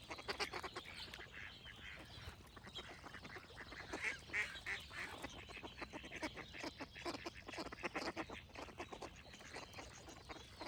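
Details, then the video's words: A flock of ducks calling with harsh, nasal quacks in uneven runs of roughly three per second, calls overlapping densely, while other birds sing faintly behind them. "Cute Duck Quack Sound Effects with Birds Singing"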